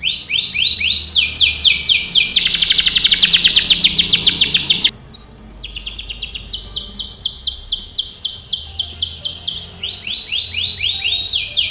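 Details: Canary training song made of fast tours of high sweeping notes that shift speed and pitch, a loud buzzing roll, a brief pause, then renewed rapid looping trills.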